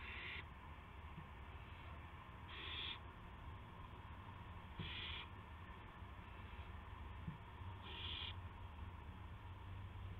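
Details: Owl delivering a gopher to another owl at 8 PM on March 18, 2016; short, breathy, rasping screeches at irregular intervals, about four clear ones, beside a constant low droning background.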